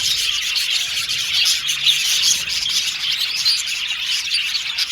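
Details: Happy Australian budgies chirping as a group, a steady, busy stream of high tweets, chatters and brief thin whistles overlapping constantly, the whole flock sounding at once.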